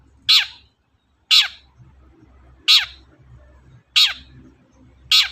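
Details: Long-tailed shrike, recorded as a provoking lure for other songbirds, repeating short harsh scratchy descending calls about once a second, five calls in total over a faint low rumble.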